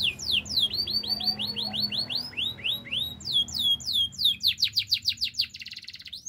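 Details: Canary song made of a long run of rising whistled notes, shifting into steeper, faster sweeps and ending in a quick rattling trill. A faint low hum runs underneath.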